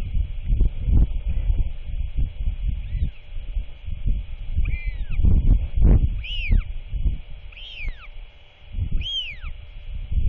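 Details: Royal albatross father and chick at the end of the day, 27 March 2024, chick calling during feeding time: several loud arched whistles rising then sliding down, spaced over seconds, with gusting wind throughout.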